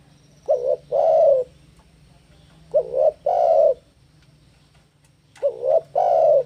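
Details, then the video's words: Spotted dove song on a lure and training recording: three phrases roughly every two and a half seconds, each a brief two-part wavering coo then a longer rich coo, over a low background hum. "Masteran Burung TEKUKUR Gacor - AMPUH Pancing Tekukur Bunyi"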